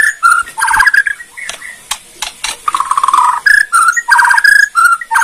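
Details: A Bornean white-rumped shama pours out quick, varied phrases: clear fluting whistles broken by sharp clicks and dry rattling notes, each burst under a second, in a rapid run.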